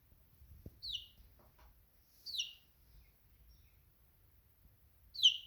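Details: Chicken chick giving three high, falling peeps spaced over a couple of seconds each, with faint low background noise and a soft click between.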